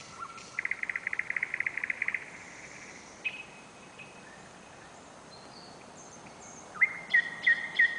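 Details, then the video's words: Nightingale in song during a July night inside Novosibirsk city limits, filmed with a camera: a fast dry rattle of evenly spaced notes lasting over a second, a pause, then three or four loud clear whistled notes. "песня новосибирского соловья"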